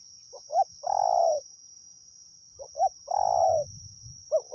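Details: Spotted dove from the wild, recorded while luring with a decoy in Thailand. It gives repeated cooing phrases of two short notes and a sustained falling coo, roughly every two seconds. A low rumbling noise and a constant high whine accompany it.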